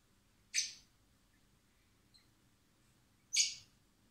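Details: Common blackbird chicks hand-fed in spring at a recovery centre before release; two short harsh high begging squawks about three seconds apart over a low background hum.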